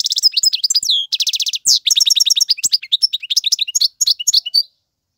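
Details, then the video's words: European goldfinch male song meant for teaching chicks, opening with buzzy harmonic rattles, then a lively run of quick tinkling twitters and slurred chirps that stops short before the end. "اقوى تغاريد الحسون, مقنين فحل لتعليم الفراخ"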